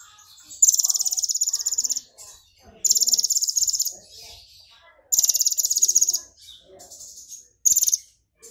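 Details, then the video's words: Long, shrill, insect-like buzzing trills, repeated four times with short gaps, come from an excited brown-throated sunbird mimicking golden grasshopper song, with soft chirps in between. "KONIN GACOR kepancing EMOSI NGOBRA nembak isian BELALANG EMAS (Purple Throated Sunbird)"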